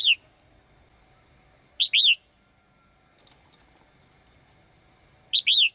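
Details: Caged female bird singing brightly to call the male: short, high, bright two-note chirps, each note sharply rising then falling, repeated in separated bursts with quiet gaps.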